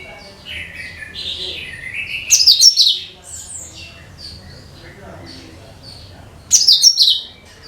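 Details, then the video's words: Cucak kinoi (bulbul) song, used as a lure for all bird species: warbled mid-high notes build into a loud burst of rapid sharp twittering, with softer chirps, then a second loud burst. "SUARA CUCAK KINOI BUAT PANCINGAN SEGALA JENIS BURUNG"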